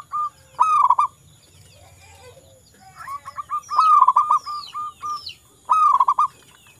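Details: Local zebra dove, a keen singer: short fast bursts of cooing notes and a steady run of separate hoots, with small birds whistling high, sliding notes in the background.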